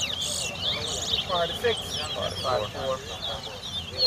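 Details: Competing towa towa (chestnut-bellied seed finch) in a singing race at a bird ground in Guyana, 2022. Dense, fast stream of high chirps and slurred whistles, with music and faint voices behind.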